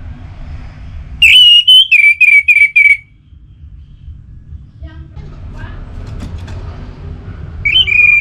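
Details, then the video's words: Orange-headed thrush song meant to draw other thrushes into singing: a sharp held whistle, then five rapid downslurred whistles in a row. Quiet follows with faint rustling and murmured voices, then a new rising whistled phrase begins. "Anis Merah Gacorr Untuk Pancinggan Burung Punglor Jadi NGeplong Bahkan Teler Kalau Jantan"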